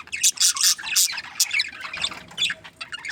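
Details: Happy budgerigar breeding pair giving quick loud squeaky chirps in pulses about every quarter second, then trailing into softer twittering.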